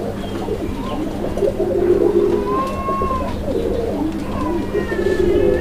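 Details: A pair of domestic Madrasi Golla pigeons calling at a pigeon farm in Bangladesh; deep throaty cooing phrases repeated in rolling bursts, with a faint steady hum and some room noise.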